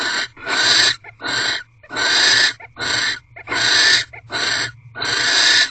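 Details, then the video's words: Wild barn owls courting at a nest box on the night of 3 March 2023, 8:45 pm, fourteenth night of the ritual; eight rasping, noisy hisses of about half a second each follow one another with short pauses. "Barn Owl Mating Ritual 14th Night"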